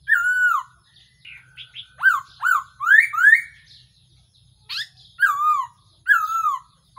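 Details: Black-throated laughingthrush decoy call used for trapping birds: loud, clear whistles slurring downward, rising upslurred notes and short chattering phrases in bursts, with quiet pauses between them.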